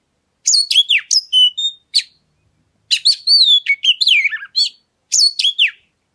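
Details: Oriental magpie-robin singing to spur other birds into song: rich, varied whistled phrases with sharp upslurs and downslurs, delivered in three energetic bursts separated by brief silences.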